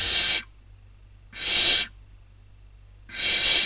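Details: Barn owl chicks at a webcam nest, Cabañeros National Park, Spain, 2019 breeding season, squabbling over food. Three drawn-out, airy screeching hisses separated by quiet gaps.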